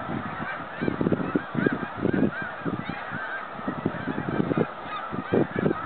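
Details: Migrating snow geese flying home, recorded in 2013: a dense, continuous wall of nasal honks from a big flock, the calls overlapping densely and pulsing slightly louder and softer throughout.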